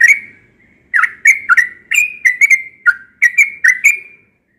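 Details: Yellow-vented bulbul giving its sweet morning song: one whistle, a pause, then a cheerful jumble of rapid liquid whistles in paired and tripled notes, fading out at the end.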